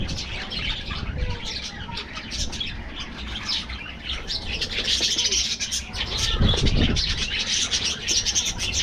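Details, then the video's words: Aviary budgerigars chirp and warble rapidly. The chatter builds to a louder, dense twittering in the second half, with a thump and wing flutter near the end. "parrots,parrot,talking | budgies bird"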